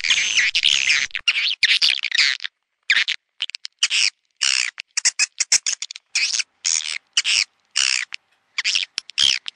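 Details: Swiftlet house lure recording of the outside sound: rapid harsh twittering chirps in close bursts, starting with a continuous chattering stretch and then broken into short, sharp packets.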